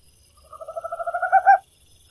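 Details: Tropical screech owl song: a rapid purring trill of mellow hoots that grows louder and ends in two strong, emphatic notes. A faint low rumble sits beneath.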